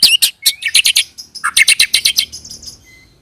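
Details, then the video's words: White-rumped shama (murai batu) lure song in the rolling 'roll tembak' style: rapid, loud run of sharp chirps and short whistled notes, with one short level whistle early and a burst of quick pulses mid-phrase, fading at the end. "pancing murai dengan roll tembak ini murai batu manapun akan respon bunyi ngerol"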